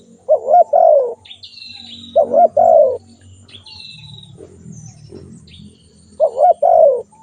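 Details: Spotted dove repeating its mellow coo phrase three times, roughly every three seconds. High, thin whistles from other birds and a soft low rumble run beneath.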